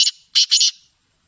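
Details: Black francolin voice, a loud rasping phrase: a brief scratchy opener, then two close, buzzy, grating notes run together, all sharp and harsh in tone.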